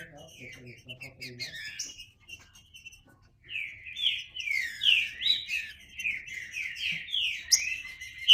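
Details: Green-winged saltator, faint at first, then breaking into a dense, continuous run of overlapping whistled slurs during the second half.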